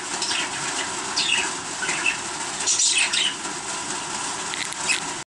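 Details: Baby budgerigar chicks calling: short, high, thin chirps and squeaks in scattered bursts of one or two, some sweeping downward, over a constant loud hiss.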